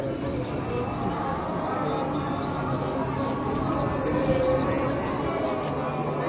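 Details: Swifts over the Western Wall, 12/5/2021, give thin, high screaming calls that rise and fall, several overlapping every second, above a steady murmur of crowd voices.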